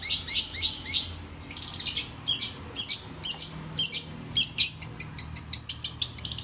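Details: Long-tailed shrike song in fast bursts: grouped harsh chirps, then a steady train of rapid high ticking notes that accelerates toward the end, all high-pitched with a quiet background.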